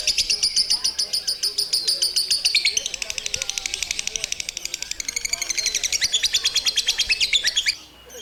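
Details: Long ngekek chatter from a lovebird, an unbroken stream of fast, shrill chirps that runs the whole time, with slight shifts in pitch partway through before cutting off at the end.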